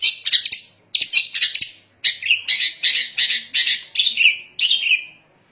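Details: Loud long-tailed shrike vocalising to rouse other shrikes: broad, rasping, scolding notes in three bursts, the last phrases ending in drawn-out buzzy slurs.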